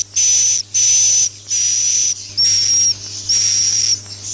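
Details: Swiftlets heard in a farming lure track of the 'Masal' roosting style: long buzzy, sizzling rasps with a piercing high tone, roughly one burst per second, five in a row, over a quiet low mains-like hum.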